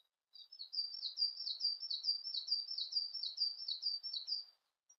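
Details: Siberian blue robin song: a fast, high, even trill of sharp repeated notes lasting about four seconds, with quiet surroundings and no other clear sounds.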